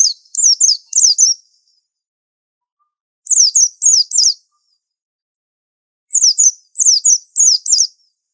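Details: Pleci, the white-eye, delivering a unique tutor song in three bursts. Each holds four or five rapid, piercing, descending notes, and long quiet spaces fall between the bursts.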